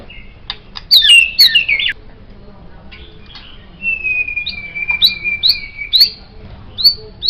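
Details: White-rumped shama singing, recorded as a tutor song for songbirds: a twisting whistled flourish, then a long level whistle that turns into a string of short upslurred notes.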